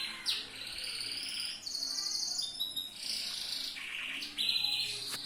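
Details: Tutor song of a yellow loper canary, used for training other canaries: a string of fast, rattling trills at changing pitches, sharp upslurred whistles and buzzy rolls, delivered continuously.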